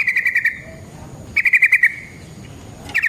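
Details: Yellow-vented bulbul lure song in the rolling 'ngeroll' style: brief bursts of five or six fast, clipped notes, each burst trailing into a thin tone before the next.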